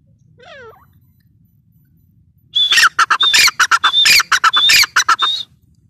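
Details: Grey francolin, called dakhni teetar: after a faint rising note, a loud harsh run of rapid, ringing, repeated notes bursts out for about three seconds, then stops abruptly; otherwise quiet.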